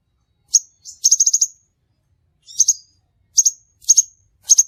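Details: Crimson sunbird trapping-lure calls: high metallic chips, a fast trill of about six notes, then several double chips at irregular intervals.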